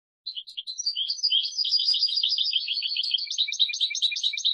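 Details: European goldfinch song from a tutor recording used to teach young birds: a fast, continuous stream of bright twittering and tinkling notes, high and jumbled, with buzzy trills running without pause after a brief silent start.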